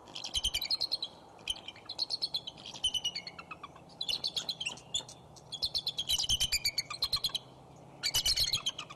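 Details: Bald eagle pair resting on a branch by their nest at Decorah on 5 January 2011, mid-afternoon in the last sunlight, exchanging calls: bursts of rapid, high, staccato chittering notes in short runs, with small birds singing in the background.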